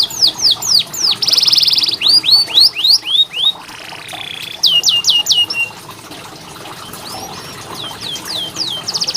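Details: Canary song played to train canaries to sing: strings of falling whistled slurs, a buzzy high rattle, a low steady hum-like whistle, then bursts of quick descending notes and chirps.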